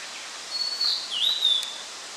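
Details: Blue-and-white flycatcher (Cyanoptila cyanomelana) recorded on 8 June 2013: one clear, high whistled phrase of about a second and a half. A long steady note dips, then ends in quick slurred notes, over a steady background hiss.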